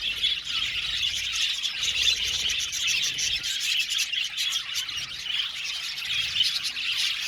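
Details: Aviary colony of Australian budgies giving a continuous bright chattering of overlapping chirps and short warbled notes, steady in loudness throughout, with faint low rumbles underneath.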